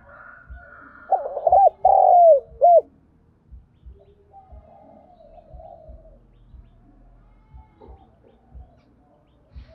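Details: Spotted dove used as a decoy to lure wild birds, Vietnamese Thổ-strain bird, gives one rhythmic phrase of low hollow coos, rising-then-falling notes with a longer drawn middle note, then quieter background with faint distant coos and soft low ticking.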